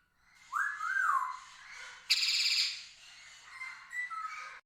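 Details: Green Indian ringneck parakeet, an Asiatic rose-ringed parakeet (Psittacula krameri) kept as a pet, making different sounds: a rising-and-falling whistle, a harsh buzzy screech, then a thin sustained whistle.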